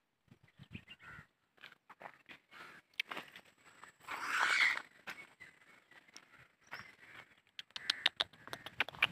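A black francolin gives harsh, grating, creaky notes in an uneven series, peaking in one loud rasping burst midway, with scattered clicks and knocks around it.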